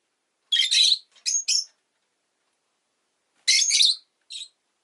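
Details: A rosy-faced lovebird (Agapornis roseicollis) gives harsh, high-pitched chirps in two bursts about three seconds apart, each a loud screechy note followed by shorter squeaks.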